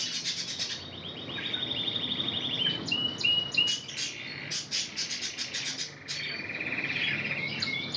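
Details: Spanish Timbrado singing from a red intensive canary trained in that style: rapid rolling trills, then sharp clipped notes and a fast metallic series, ending in a steady buzzy trill.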